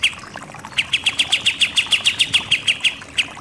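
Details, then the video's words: Rapid 'nembak-nembak' song of a pied triller (kapas tembak), a training master for songbird contests: around fifteen crisp notes fired in quick succession at steady pitch, ending with one isolated note. "KAPAS TEMBAK SUPER NEMBAK-NEMBAK"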